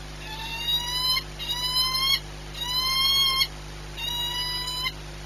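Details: Four long, rising, strongly harmonic cries from a peregrine falcon at Płock's Orlen site in Poland, 22 March 2021, each about a second long and evenly spaced, with a low steady hum beneath.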